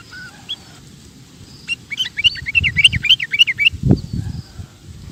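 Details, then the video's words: Sooty-headed bulbul song for tutoring cage birds: a fast, chattering run of rising and falling chirps lasting about two seconds, with faint whistles before it and low thumps and noise in the background. "Suara Burung Kutilang Gacor Cocok Untuk Masteran"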